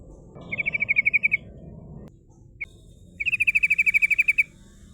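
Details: A female sooty-headed bulbul gives its rolled 'ngerol' song, meant to draw rivals: a short fast trill, one lone note, then a longer run of about fifteen ringing repeated notes.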